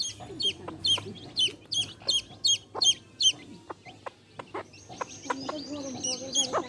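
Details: Hen and baby chicks: a brisk string of high falling peeps opens, thins out to scattered clicks and low clucks, then several chicks resume chirping together near the end.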